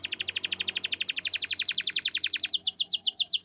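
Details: Champion canary song, a long rapid series of bright, high descending trilled notes repeated about four times a second, shifting midway to a faster, sharper trill; background quiet.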